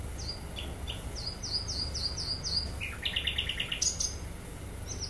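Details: Sikatan londo (flycatcher) in lively song: thin high whistled notes repeated in a quick series, then a run of rapid buzzy trills and sharp chirps, over low steady background hum.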